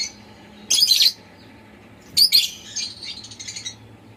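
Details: Indoor pet lovebird chirping: two loud, shrill, scratchy chirps a second and a half apart, followed by a softer, rapid chattering twitter that fades out.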